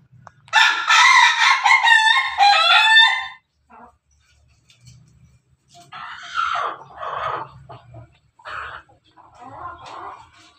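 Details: Pelung chicken, a kept bird, recorded 17 May 2024 giving a laughing crow of about three seconds, loud and rhythmically pulsing, followed by people talking nearby.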